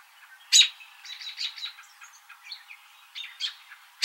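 American robin: a sharp, bright note opens and ends the clip, with soft, quick chirping and warbled phrases running between them.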